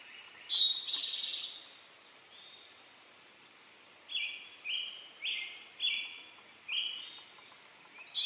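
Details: Male Eastern towhee delivering a "drink your tea" phrase: a short note followed by a loud ringing trill. Several seconds later another bird gives a run of evenly spaced whistled notes.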